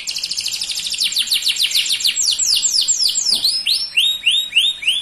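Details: Dark-coloured male canary singing a rapid, high trill of repeated sweeping notes, several per second, shifting into slower, broader downslurred phrases toward the end.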